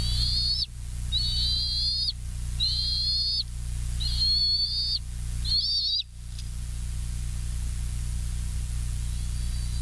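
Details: Bald eagles at the West End nest on a live nature cam, 07/12/2023 at 20:55: five high, thin, level whistled notes, each about half a second long, spaced roughly a second apart, over steady low electrical hum.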